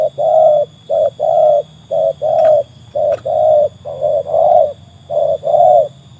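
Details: Spotted dove (tekukur), a trained bird whose voice has been tested against wild doves, coos steadily: loud, hollow, low-pitched notes in short-long pairs, about one per second, with clean silences between.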